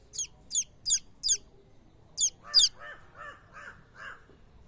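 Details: Chicken chicks calling: a run of sharp, high peeps in quick succession, then softer, lower, rounded notes repeated about every half second.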